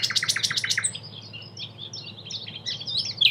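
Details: Common Nightingale (subspecies megarhynchos) singing in Cattenom, France, in May 2016: a fast run of about seven loud, harsh repeated notes, then a softer, varied stretch of high twittering phrases over a faint low hum.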